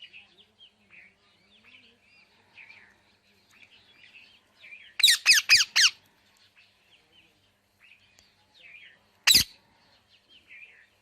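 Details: Parrot giving soft, low chattering notes, then a burst of four harsh, loud squawks in quick succession and one more squawk a few seconds later.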